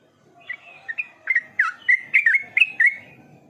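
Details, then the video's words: Yellow-vented bulbul giving an accelerating string of about a dozen rich, bubbly, warbled notes, starting sparse and quickening into a jumbled chattering phrase; otherwise quiet. "Terapi burung trucukan cepat Gacor"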